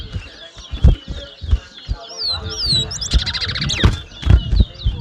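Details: Chestnut-bellied seed finch, or towa towa, at a 2022 whistling contest in Mahaica, Guyana. Sweeping whistles build into a loud buzzy trill partway through, and nearby talking breaks in with sharp bursts of speech.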